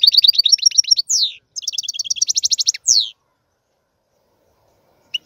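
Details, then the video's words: Lively European goldfinch song of rapid liquid twitters and a repeated fast trill, each phrase closed by a sharp descending sweep, then silence with one final chip. "احسن وافضل تغريد طائر الحسون"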